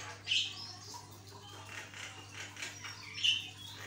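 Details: Javan myna singing vigorously as a training recording for other mynas: two sharp high whistles separated by soft, scratchy chatter, over a steady background hum.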